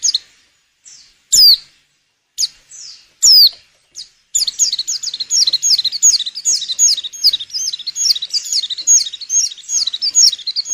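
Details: Breeding female white-eye used to coax males into song for luring: a few spaced sharp downslurred chips, then from midway a fast continuous high twittering of quick warbled notes.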